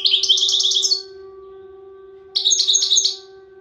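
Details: European goldfinch singing in the Souk Ahras style, a prized performance manner: two bursts of bright, rapid, high twittering trills about a second long, separated by a pause, over a steady low electrical hum.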